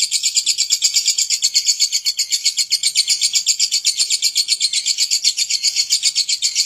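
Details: Unbroken ngekek from a lovebird: a shrill, dense, rattling chatter repeated about four times a second, even and intense from start to finish.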